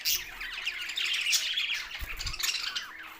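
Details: Chattering budgerigars, Australian parrots, Larkana, Sindh: busy high warbling and squeaky chirps from several birds, with a brief low thump near the middle.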